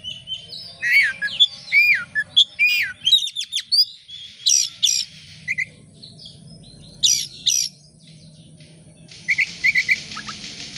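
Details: Oriental magpie-robin (kacer) pouring out varied song as a lure for other birds: curling whistles, quick chirp runs and sharp downslurred notes, grouped in short bursts separated by pauses, ending in a softer buzzy trill.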